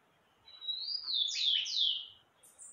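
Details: A brief Meia-noite phrase from an ultramarine grosbeak (azulão): a quiet opening, then loud sweeping whistles that slur up and down, followed by a faint high note at the close.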